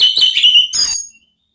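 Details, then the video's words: Brief ngeplong song of an orange-headed thrush, used to coax another thrush into answering: loud, ringing whistled notes running together for about a second, ending in a sharper burst and quick fade. "belajar NGEPLONG cocok untuk MEMANCING ANIS MERAH supaya ikut NYAUT ¦ KICAUAN TERAPI"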